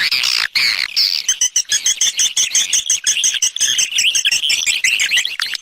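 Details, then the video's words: Swiftlets in a 2020 external sound: a loud opening squeal followed by continuous high chirps and clicking, with a steady twittering band under quick repeated ticks. "Free Swiftlet External Sounds"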